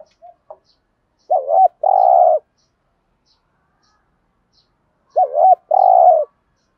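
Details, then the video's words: A spotted dove used as a decoy repeats its thúc gù cooing, giọng thổ voice. There are two phrases about four seconds apart, each a wavy coo then a long purring coo, with a few short clipped notes at the start. "Thúc gù bài bản/ tiếng chim cu gáy thúc gù bài bản, chim cu mồi gù thúc, cu gáy thúc gù"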